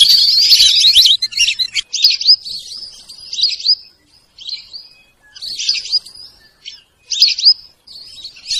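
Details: Sarail bird calling: dense, high chirps and twittering notes in tight bursts, loud and continuous at first, then in short clusters separated by brief pauses.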